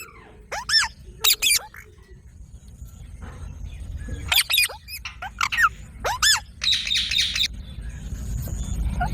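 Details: Parrot outdoors giving scattered sharp, harmonic calls, some paired, against a rising rustling background with faint chirps of other birds.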